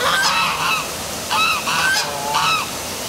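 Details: Geese, or possibly ducks, calling in the dark of night by the downtown waterfall at City Hall, Milford, Connecticut, honk in three loud bursts of harsh, nasal, overlapping, slightly downslurred calls over a steady rush of falling water.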